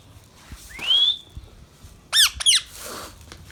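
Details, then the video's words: Baby rose-ringed parakeet, a pet bird, calling: one clear, upward-sliding whistle, then two sharp, harsh squawks in quick succession over a steady background hiss. "Ringneck baby Parrot sounds"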